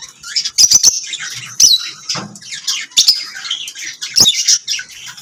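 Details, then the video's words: Lovebirds chirping: continuous scratchy high twitters and squeaks with scattered sharp clicks, varied and uneven throughout. "Lovebirds singing and chirping sounds"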